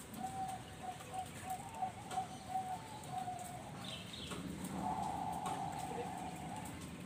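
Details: Captive Bangkok zebra dove from a breeding farm in Bekasi, West Java, singing: a run of soft, quick, evenly spaced coo notes, then a longer drawn-out tone, against a loud hissing background with some chirps.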